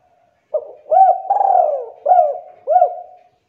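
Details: Energetic spotted dove lure song: a brief opening note followed by a series of mellow, falling two-part coos with a longer sliding middle coo, in a quiet setting.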